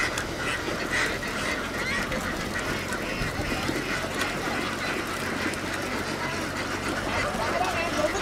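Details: Laying ducks in Vietnam moving from a field down onto a boat give a constant rough chorus of overlapping quacks, evenly loud, with no single voice standing out from the crowd.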